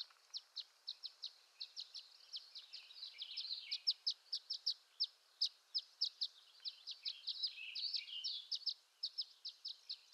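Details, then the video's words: Dense run of high, short chips and twitters from a violet-green swallow in western North America, nearly continuous, with a soft warbling underlayer and light background hiss. "Violet-Green Swallow Call"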